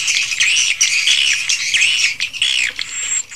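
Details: Swiftlets recorded in a swiftlet house, unedited. Rising and falling squeaky chirps repeat roughly every half second over a continuous shrill twittering of many birds, with a thin high whistle near the close.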